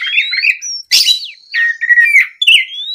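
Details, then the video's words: Oriental magpie-robin provoked by a rival into answering song: continuous varied phrase of warbled whistles, a harsh burst, long falling and rising slurs, and a final upward-sweeping whistle. "MEMANCING KACER LAWAN AGAR LEKAS BUNYI NYAUT & GACOR! SUARA BURUNG KACER GACOR NGEPLONG !"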